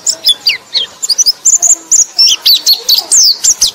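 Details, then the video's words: White-eye (pleci) song used as a lure to stir a sluggish pleci: a fast, jumbled stream of high, thin chirps and slurred whistles, many notes rising or falling steeply, with no clear repeating pattern. "KICAU BURUNG PLECI - Untuk Pancingan Burung Pleci Lelet"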